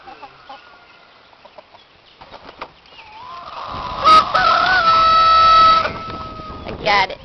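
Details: Rooster crowing in a back yard in Hillsdale, Michigan: soft clucks and shuffling at first, then a loud, long drawn-out crow held for about two seconds, followed by a short sharp call near the end.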